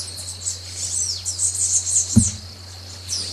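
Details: Brazilian ruby producing a thin, high twittering of quick squeaky slurred notes, with one soft low thump midway and a faint low hum throughout.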